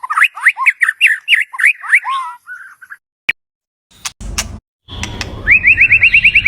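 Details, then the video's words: White-rumped shama song used to attract a mate: rapid looping whistles for two seconds, then a pause with clicks and knocks, ending in a fast series of rising repeated notes. "เสียงนกบินหลาดง นกกางเขนป่า ใช้ต่อนกเรียกคู่เข้าเร็วมาก"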